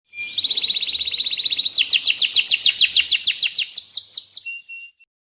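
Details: Caged Atlantic canary in full long-rolling song, used as a tutor for other canaries or to prompt quiet ones: a fast buzzy trill of rapid repeated notes that shifts into sweeping rising-falling notes, ending with a brief whistle.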